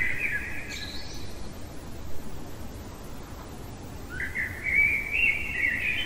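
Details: A common blackbird singing in the middle of the night: the end of one warbled phrase with a high twitter, a pause of hiss, then a new fluty, rising phrase.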